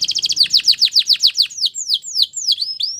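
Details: Belgian canary giving a quick run of sharp descending whistled notes that gradually slow into wider, sweeping slurred whistles.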